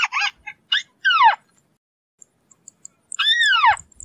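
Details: White-browed crake, also called Matang Bayani or Tikling Kabayo, giving a few short harsh notes followed by two drawn-out squealing calls that arch up then fall, separated by quiet.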